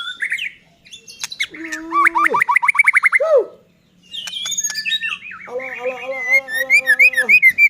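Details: White-rumped shama in strong song, played to make other shamas sing: mixed phrases of clear whistles, a rapid stuttering series of notes, low buzzy rich-toned sounds, and a final string of quick high slurs.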